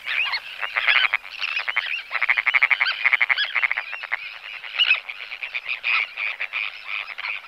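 Sandwich Terns give harsh, grating, rasping calls in rapid overlapping bursts, like a busy colony, with no pause throughout.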